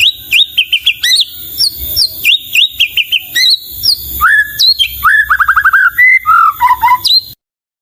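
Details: White-rumped shama (murai batu) pouring out a melodious, varied song of high whistled notes, quick slurs and a rapid descending trill series, with crisp repeated phrases.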